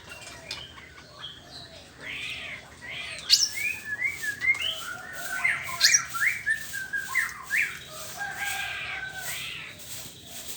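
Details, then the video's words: Morning song of a white-rumped shama (murai batu): moderately soft, varied whistled notes and short slurred phrases delivered in a steady stream, over a faint background hiss. "ocehan burung murai batu di pagi hari"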